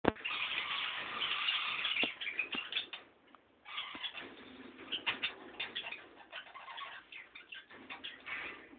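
Budgerigars chatter with rapid, scratchy warbles and short chirps, almost without pause.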